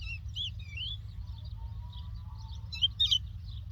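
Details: Lark from the Doukkala region sending out quick high chirps and slurred whistles, ending in a brighter burst of twittering, with a faint thin lower tone drawn out midway and a constant low rumble beneath.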